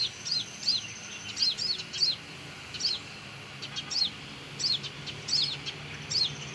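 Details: Olive-backed sunbird near its nest by a house, giving quick high chirps that slur downward, in loose bursts of two or three notes, over a constant hissing background.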